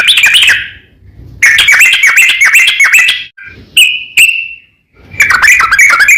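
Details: Sooty-headed bulbul singing to call a rival, used to provoke other bulbuls into answering; bright bubbling phrases around a steady middle pitch, repeated in bursts separated by short pauses, with a couple of isolated sharp notes.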